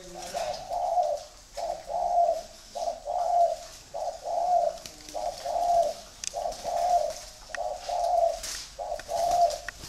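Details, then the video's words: Free-range breeding spotted doves cooing steadily, a soft low hoot repeated about every second, fairly regular, over a constant hiss with faint clicks. "chim cu gáy nuôi sinh sản thả rông"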